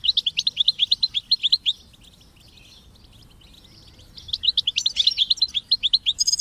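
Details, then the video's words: European goldfinch singing with chicks' chirps, for motivating goldfinches: two trains of quick, evenly spaced high tinkling notes, separated by a quiet pause of about two seconds. "Memorizing Training and Motivating Goldfinches and Chicks Chirps"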